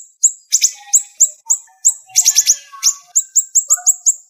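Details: Siri-siri bird delivering sharp, rapid bursts for song training: very high, quick falling chips spaced unevenly, a tight cluster of rattled notes near the middle, and faint lower twitters underneath.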